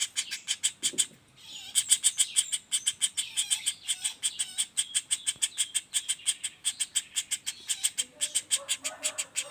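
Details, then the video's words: Juvenile common flameback giving a non-stop rapid-roll call, used as a master for songbirds: harsh, buzzy chips repeated steadily at a fast rate, with a short break near the start and faint lower notes toward the end. "Suara Pelatuk Bawang Anakan Roll speed tanpa jeda"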